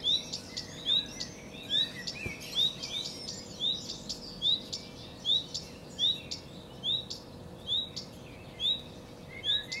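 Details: Song of a common redstart, Phoenicurus phoenicurus: a steady series of brief high upslurred notes, each followed by a tiny flourish, repeated roughly once per second over a quiet outdoor background.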